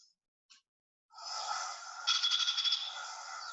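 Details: A House Wren, a bird living close to houses, gives one of its call types: a harsh, buzzy chatter of about two seconds with a quick burst of rattling pulses in the middle, preceded by a faint soft tick.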